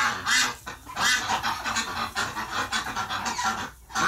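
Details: Several ducks calling at once after a flock member died in the hospital, November 30, 2018: overlapping, harsh quacks merging into a continuous noisy chorus with few clear gaps.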